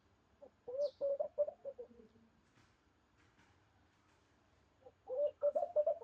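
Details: Mourning dove (Zenaida macroura) cooing in its natural environment, two low, hollow bursts of wavering notes, the first sliding down at its end, separated by a few quiet seconds.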